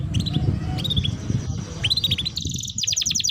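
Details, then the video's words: ['Lure recording of canary song meant to prompt young canaries to sing: scattered short chirp groups and slurred notes over a steady low rumble, ending in a quick, crisp high trill.'] "Pancingan kenari belajar bunyi | Pancingan burung kenari paud agar cepat bunyi"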